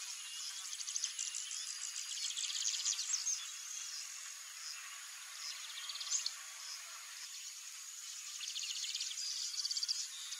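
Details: Wild copper seedeater singing: rapid series of high, sharp trilled and chattering notes in bursts, with a steady high insect drone throughout and faint buzzing in the background.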